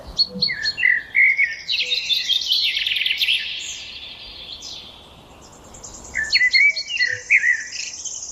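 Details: Birds singing outdoors: bursts of sharp chirps and warbled phrases, a quieter gap mid-way, then renewed whistled and twittering notes, with faint low thumps beneath.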